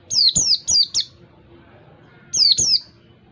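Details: Clear wild-style 'ngalas' song of an Oriental white-eye (pleci), for training other birds to learn it. Four rapid, high, descending whistles in a row, silence, then a pair of the same notes.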